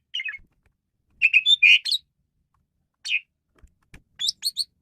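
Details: Male Asian pied starling, varied song played as a lure for training birds: scattered bursts of chirpy, buzzy and whistled notes separated by short silences.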